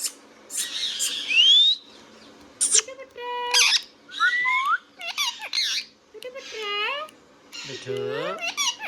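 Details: Pet Indian ringneck parrot talking in a rapid string of squawks, speech-like nasal syllables, a rising whistle and a final drawn-out harsh rising cry.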